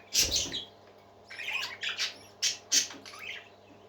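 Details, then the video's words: Happy parakeets singing: harsh, buzzy chirps and squawks in short bursts, a loud cluster at the start, then scattered sharp notes about every half second, with a steady low hum behind. "Happy Parakeets Singing"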